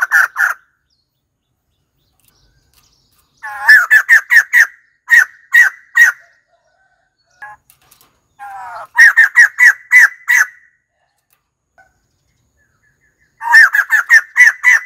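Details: White-crested laughingthrush calling in separated bouts of loud, strident cackling notes, each bout a quick series of four to seven harsh syllables, with quiet pauses between.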